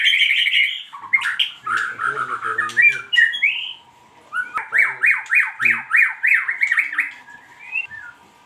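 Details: White-rumped shama lure song (pancingan), used to get other birds singing: mixed chattering and whistled phrases, a short pause, then a rhythmic series of about ten identical sliding notes, roughly three per second.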